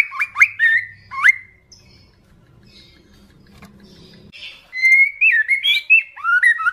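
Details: Loud, excited white-rumped shama song in trotolan style, calling a rival: sharp whistled notes and quick upswept phrases, a quieter gap with faint low hum, then a run of rich looping whistles that rise and fall.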